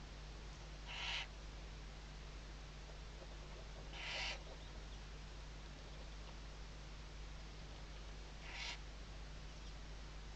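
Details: Western barn owl, webcam footage from Riet Vell Nature Reserve in the Ebro Delta, Tarragona, Spain, 2023 season, morning. Three soft, breathy hisses several seconds apart against steady background hum.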